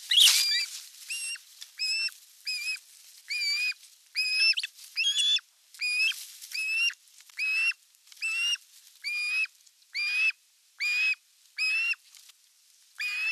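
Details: Osprey at a nest in Western Finland's Satakunta region, 5 August 2024, during a fish delivery with sibling aggression between chicks. A brief loud burst opens, then evenly spaced, upslurred whistled notes follow, more than one per second.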